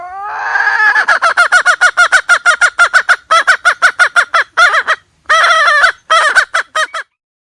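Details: Hen's call meant as a trapping lure: a long, fast string of some thirty harsh, pulsed notes over seven seconds, broken by a few short gaps, opening with a drawn-out note.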